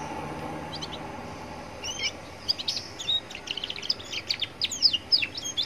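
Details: Young canary by a busy roadside, its song meant to prompt other canaries to sing; after a quiet start a dense, rapid run of high chirps and buzzy trilled notes builds steadily, with faint traffic noise behind.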